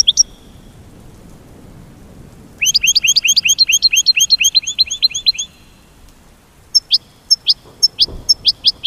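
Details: American goldfinch mating call: a brief high note, then a rapid run of paired high chirps, each a sharp upper note followed by a rising sweep. After a pause, a slower series of similar chirps follows.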